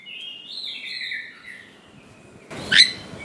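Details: White-rumped shama (kacer) song used to excite young birds into responding: drawn-out soft whistled notes gliding gently, followed by one sharp loud chirp over faint background hiss.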